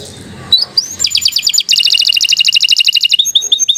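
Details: Long-singing canary used as a master recording for beginner birds: a few rising whistles, then fast repeated trills of high bright notes, ending in short descending whistled slurs; faint background hum at the start.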